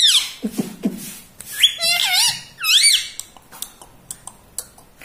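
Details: Pet talking parrot indoors, taught to say mummy; loud, buzzy, wavering syllables in quick pairs, then a run of faint, evenly spaced clicks.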